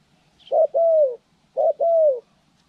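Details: Spotted dove in bird-trapping training, January 14, 2020: two identical coos, each a short throaty note then a longer smooth note that slides slightly down, about a second apart.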